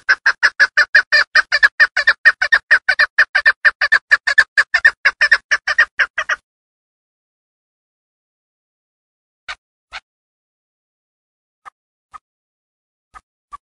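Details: Female chukar partridge hunting call from the Darvoz district, Tajikistan: a fast, even run of clucking chuk notes for about six seconds, then silence broken by a few isolated single notes.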